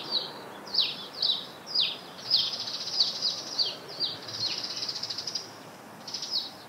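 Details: Eurasian tree sparrows calling near where sparrows gather nest material: a run of short chirps dropping sharply in pitch, some thin and some fuller, repeated irregularly almost twice a second, over faint background hiss.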